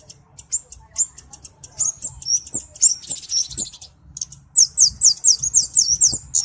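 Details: Kemade (cabe-cabean flowerpecker) gives scattered thin high ticks, a short scratchy passage, then a rapid run of loud, sharp descending chips near the end; low background hum throughout.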